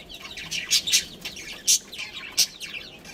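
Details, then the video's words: Pet budgerigar breeding pair making soft background twitter punctuated by four louder sharp chirps spaced unevenly across the few seconds. "Cute Budgies Chirping Sounds"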